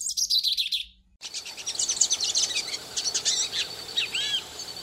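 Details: Hooded siskin song for warming up a captive bird: a brief bright twitter, a short gap, then quieter rapid chirps and slurred whistles over a faint background hiss.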